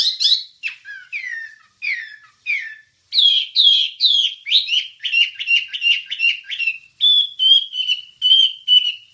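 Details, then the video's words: Wambie songbird recording used as training material for songbirds: a rapid, varied, high-pitched chattering song of sharp chirps and slurred whistled notes, later settling into fast repeated trills, with no other sounds. "Ocehan Suara Burung Wambie"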